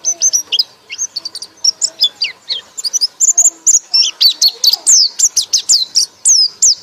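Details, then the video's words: A white-eye delivers a loud ngekek song: a dense, continuous string of high, sharp chirps and downward-swooping whistles, steadily growing in intensity over several seconds. "pleci anda akan ngekek ngekek keras"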